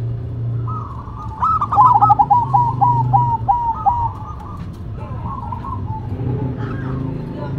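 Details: Perkutut (zebra dove) duet, local versus cemani: soft coos rise into a fast bubbling series of clipped notes, then quieter trailing coos answer, over a constant low rumble.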